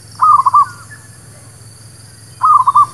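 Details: Zebra dove lure song for catching birds: two fast stuttering cooing phrases, each a rapid series of bubbly notes, separated by about two seconds of quiet with steady low hum.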